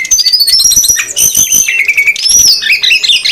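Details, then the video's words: Lure recording of female and male SRDC birds calling noisily to bring wild birds in; a short, busy run of high sliding whistles and rapid chatter, one whistle falling then rising near the end. "suara pikat burung srdc betina & jantan ribut"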